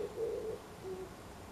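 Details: Oriental turtle dove, which sings every morning, giving low, soft coos: a longer hooting note, then a quieter, shorter coo after a brief pause.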